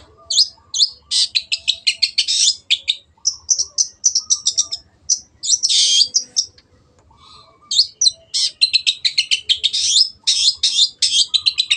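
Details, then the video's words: Long-tailed shrike in lively, full-voiced song offered as a clear tutor recording for caged birds: dense, fast chattering bursts of buzzy, scratchy notes in rapid runs, with short pauses between phrases. "MASTERAN BURUNG CENDET GACOR JADIKAN BURUNG KESAYANGAN ANDA SEMAKIN GACOR DENGAN SUARA JERNIH"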